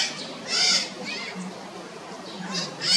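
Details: Red-shouldered macaws give a couple of rough, grating squawks, one near the start and another at the end, separated by a quiet stretch.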